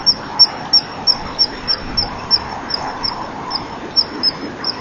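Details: A common kingfisher sits in the sun on a rear perch before a nest-box camera at 10:41 on 25 November 2012 and leaves with much peeping. Sharp, high, thin peeps come in an uneven series of about three a second, some louder, over a faint hiss.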